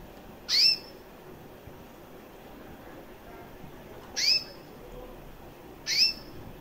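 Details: A female recessive white canary with red-factor eyes, about one year old (2013 to September 2014), gives three short, high, sharp chirps spaced a few seconds apart against faint steady background hiss.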